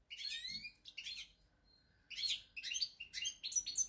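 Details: European goldfinch recorded on 8 February 2020, apparently indoors: bursts of high twittering and buzzy chirps with rapid descending slurs, in phrases separated by short pauses, then a denser run of tinkling notes toward the end.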